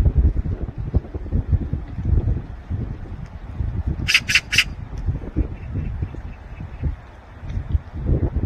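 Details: A Eurasian magpie (Pica pica) gives one quick burst of three harsh, rasping chattering notes over a steady low rumble of wind or distant traffic.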